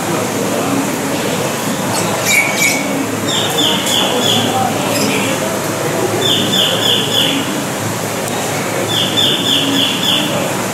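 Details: Collared kingfisher at ZooParc de Beauval, France, in May 2019: three series of sharp, repeated harsh notes, about five per burst, spaced roughly three seconds apart over a steady background hum.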